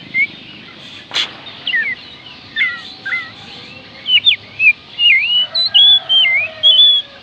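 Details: Oriental magpie-robin song meant to trigger singing in reluctant birds: a lively run of clear whistled phrases, rising and falling slurs and looping notes, quickening to a steady stream of loud whistles roughly twice a second, after a sharp click.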